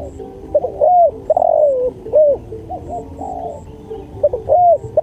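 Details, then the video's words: Mellow cooing of a spotted dove for birdsong training: clipped introductory notes, an arched coo and a long falling coo, repeated twice over low background hum with faint high chirps. "MASTERAN SUARA TEKUKUR"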